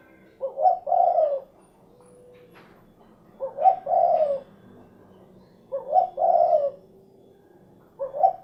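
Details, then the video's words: Derkuku, the spotted dove, repeating a soft, low, rolling coo phrase about every two and a half seconds: a quick lead-in note then a drawn-out, slightly falling coo, four phrases heard. "SUARA BURUNG DERKUKU / CUKURUKUK KUK GERUK"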